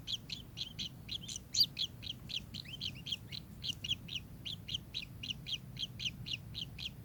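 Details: Kingfisher uttering a long, quick, regular series of sharp, buzzy chips, about three per second, sustained throughout with little variation.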